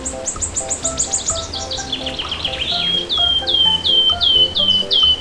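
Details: Canary delivering a fast high-pitched trill, then switching to slower, clear down-slurred whistles repeated about three times a second, over gentle instrumental music in the background.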